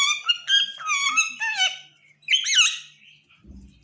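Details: A pet parrot tries to speak. Several rich, buzzy, harmonic syllables run together with wavering pitch, then a short pause and a higher, twisting squawk. A faint low thump sounds at the end.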